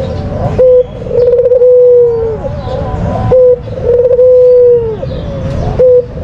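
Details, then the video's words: Kept white dove cooing as a lure call: short clipped notes alternating with drawn-out level coos that dip at the end, repeated steadily against a low rumbling background. "Puter Putih Full Gacor, Suara Terampuh Paling Dicari !!!"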